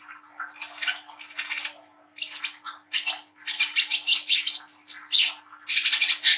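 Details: Young Brown-throated sunbird gives a busy, high-pitched song of rapid chirps, twitters and thin whistles in quick bursts, over a faint steady hum. The song is used as a lure to stimulate young birds to sing.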